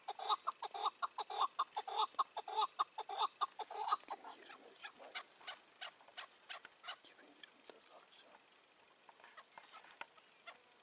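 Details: Chukar partridge in May during a roof decoy hunt, a wary wild old bird keeping its distance; a burst of low, rapid clucking notes for about four seconds, then fading into scattered faint clicks and quiet.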